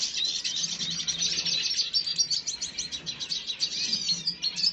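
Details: Red siskin recorded 5 June 2022, giving dense, continuous high twittering with rapid chirps and buzzy trills running through all five seconds, the notes overlapping without pause.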